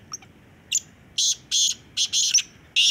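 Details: Black francolin (kala teetar) heard in a calling competition: short harsh, rasping high-pitched bursts come in a rhythmic phrase of about six grating syllables over three seconds, over faint low background noise.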